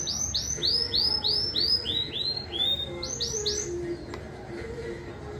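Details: Domestic canary at a 12th-edition singing competition in Juiz de Fora, Brazil: a string of loud arched whistled notes about three per second, fading lower toward the end, with faint hum.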